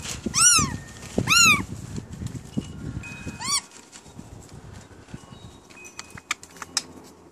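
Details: Pet rainbow lorikeets, new to their home, chattering and talking: two loud arched, harmonic squawks close together, a third softer one a couple of seconds later, then faint clicks and scratchy sounds.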